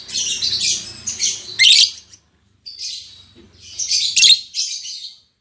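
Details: Newly paired lovebirds, an albino MM male and a lutino MM female, giving shrill, high-pitched chattering bursts in two loud runs separated by a short silent gap.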